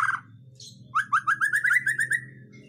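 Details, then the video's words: White-rumped shama singing to provoke other birds into singing: a brief harsh note, then a rapid series of about a dozen short rising whistled notes, over a steady low hum. "Pancingan murai batu mendongkrak keluar isian"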